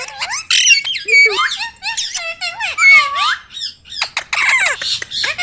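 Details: Talking ringneck parrot kept as a pet, uttering rapid harsh squawks and whistled slurs, syllables tumbling quickly with speech-like rising and falling inflections, loud and close.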